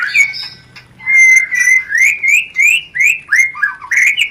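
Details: White-rumped shama mating lure: a run of loud, rising whistled notes repeated about every third of a second, after a softer opening warble.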